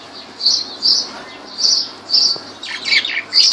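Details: Lovebirds at Laylan, Kirkuk, Iraq, uttering bright, shrill chirps roughly every half second, ending in a denser burst of overlapping squeaky notes.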